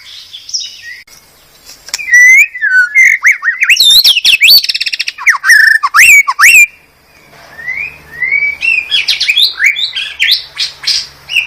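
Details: White-rumped shama from Medan, recorded as a master song for training cage birds: a rich, varied run of loud whistles, sweeping slurs and sharp chirps, with brief pauses between bursts of phrases.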